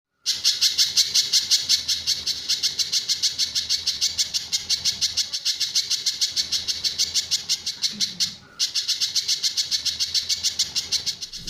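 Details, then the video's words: Sunda bush warbler used as a master recording for training other birds, with the tembakan and besetan song styles: fast, harsh, buzzy high notes in an unbroken rattling run, about seven per second, briefly pausing near the end. "Burung Pijantur Gacor"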